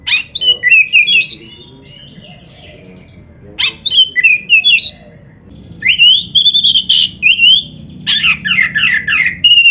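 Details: Oriental magpie-robin training song for captive birds: loud bursts of rapid whistled and buzzy notes, a pause, then a long run of varied slurred whistles and repeated clipped notes.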